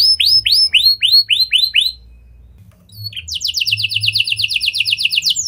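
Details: Canary with lovebird and prenjak-style song, used to draw other canaries into singing: rising whistled sweeps, a brief pause, then a long rapid buzzy trill held high.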